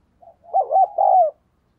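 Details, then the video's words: Decoy spotted dove cooing quickly to lure wild birds: one short phrase of a soft lead-in note, then two stronger quavering coos ending in a long, slightly falling hum. "Chim Cu Mồi Thúc Gáy Gọi Tốc Độ"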